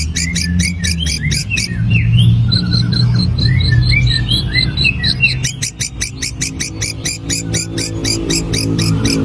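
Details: Long-tailed shrike giving an extended grasshopper-imitating song: quick rhythmic buzzy ticks, then a run of slurred whistled notes and chirps, then dense rattling ticks again, with a constant low rumble behind.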